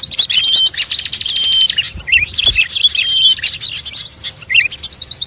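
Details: Mixed chorus of many bird species played as a lure to attract birds: dense, overlapping high chirps and rapid trills, with thin whistled notes and short twittering phrases running throughout, and a brief low thump near the middle.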